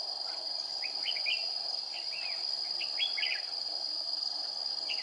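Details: A decoy red-whiskered bulbul sings aggressive fighting phrases during trapping in 40-degree heat on 20 April 2019. The quick, slurred phrases repeat over an unbroken high insect hum.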